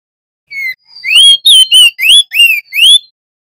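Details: Male crested darkeye in full song of the rolling 'ngeroll' type, used as a tutor for magpie-robins and other songbirds: a short burst of clear whistled notes, each a rising or falling slur, about seven phrases in quick succession.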